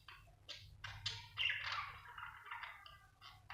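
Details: Budgerigar chirping, an Australian bird: a run of short, scratchy warbled chirps and chatter in a quick, irregular stream, several notes per second, with a steady low hum beneath.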